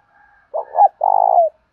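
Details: Dueling coo of a spotted dove in 'thổ pha' voice. A soft faint murmur comes first, then a pair of husky notes and one long pulsing coo that glides lower as it ends.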